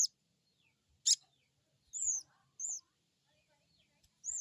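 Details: Crested jay giving crecet calls meant to stimulate a newly kept bird to answer: thin, high arched chirps roughly once a second, mixed with sharp clicks and faint lower twitters.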